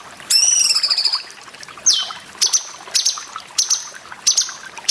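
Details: Cucak jenggot song from a masteran training recording for cage birds, with water sounds: a long buzzy harmonic phrase, a steeply falling whistle, then short sharp repeated notes in loud bursts over a constant trickling water background.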